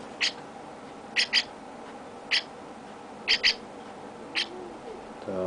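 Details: Young chestnut-cheeked starling kept by its owner and being given affection. It gives short, sharp, high calls, some in quick pairs, at uneven intervals over a soft background hum.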